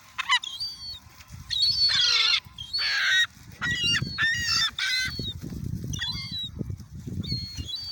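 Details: Seagulls crowding to be fed at Oyster Bay give loud bursts of harsh, nasal squawks in clusters, with short pauses between, some cries slurring downward, over a low murmur of wind or surf.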